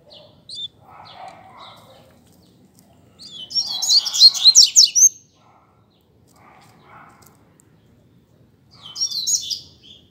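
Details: Captive double-collared seedeater singing in a contest with a rival bird. Two loud bursts of fast, high, jumbled warbling trills, separated by pauses with a few soft lower notes and a faint background hum.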